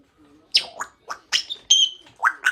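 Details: Pet African grey parrot chatting at home in the afternoon: a string of harsh, speech-like syllables and squawky bursts with a short steady whistle in the middle.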